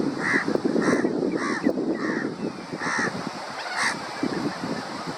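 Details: Crab-plover (Dromas ardeola) giving short, nasal, barking notes, repeated roughly every half second to second in a loose series, over constant low rumbling background noise.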